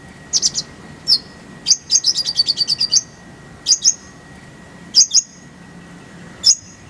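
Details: Konin, or brown-throated sunbird, singing for training other birds: sparse high sharp notes, then a quick descending series of about ten thin chirps near the middle, followed by scattered paired notes; steady faint hum underneath.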